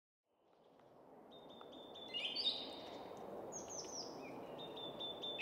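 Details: Song thrush singing bright, clear whistled phrases and high notes from atop a spruce in quiet suburban woodland at Väsby sjöäng near Stockholm, Sweden, over a low hum of city traffic or wind; other woodland birds in background.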